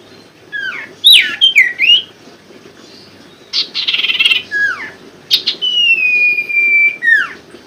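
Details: Common Iora (sirtu), used to coax silent birds into singing: swooping whistles, a burst of harsh rasping chatter, then a long steady whistle ending in a downward slur.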